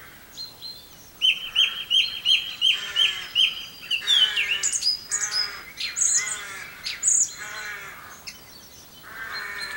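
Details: A singing song thrush recorded in Campbeltown during April 2012, giving a crisp high note repeated six times, followed by varied whistled and chattering phrases, some repeated, with short pauses between.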